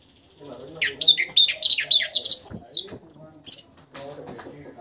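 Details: An orange-headed thrush, just past its moult and starting to sing freely, sings a fast run of varied, sweet whistled phrases over about three seconds, some rising and some sliding down. Faint low murmuring sits beneath.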